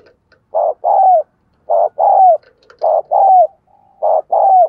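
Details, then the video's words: Spotted dove kept as a decoy bird, cooing vigorously to encourage other doves to call; low mellow coos in paired phrases, a short note followed by a longer slurred one, repeated about every one and a quarter seconds, quiet background. "Chim Cu gáy Thúc Gù Căng Đét - Chim Cu Mồi"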